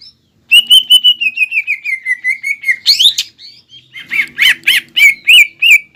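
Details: A green leafbird sings to make a rival respond: a fast run of repeated whistles drifting downward, a sharp rising note, then loud emphatic slurred calls, with a faint low hum beneath.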